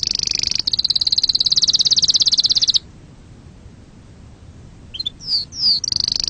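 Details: Canary singing to excite birds and tutor chicks: a very high, dense rolling trill for nearly three seconds, silence, then quick downward-slurred notes resuming into trill.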